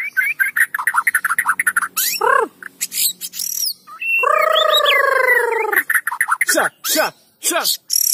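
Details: White-rumped shama song used to set other shamas singing: rapid repeated chirps, steep descending whistles, then a long harmonic rich note lasting over a second, followed by more scattered notes.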